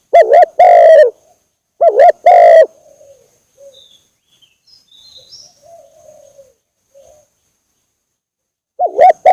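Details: Spotted dove lure call for attracting birds: two loud cooing phrases, each a dipping double coo followed by a long steady coo, separated by about seven seconds of near silence holding faint, distant bird notes.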